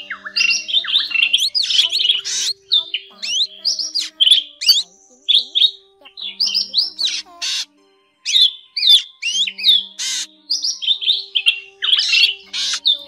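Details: Drongo calls used as a lure for net-trapping drongos (black, forest and fish-tailed drongo named): a fast, varied run of harsh chatters, metallic notes and bright whistles, mostly high-pitched, with a faint low hum beneath.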